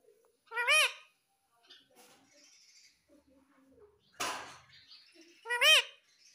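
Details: Ringneck parrot kept as a pet, two loud arched squawks several seconds apart, separated by soft muttering and a short noisy rustle.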